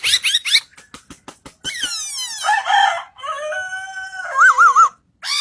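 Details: Singing bird with a complex song: sharp clicks and chips, long sliding buzzy sweeps, a steady held tone, then a loud warbled trill before a brief pause.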